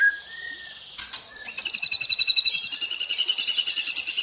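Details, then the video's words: White-rumped shama (murai batu) in 'tembakan' and 'isian' style: a soft whistled note, a short rising phrase, then a long, rapid, evenly pulsing high trill lasting nearly three seconds. "Dahsyaaatt Tembakan & Isian Murai Batu // AmAzing Bird chirping like no tommorow"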